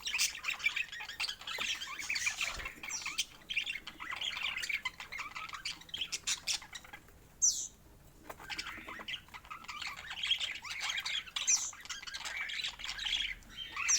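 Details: Budgerigars chattering with scratchy chirps and soft warbles, a brief sharp high squeak near the middle, quieter stretches and a sound like wing flaps.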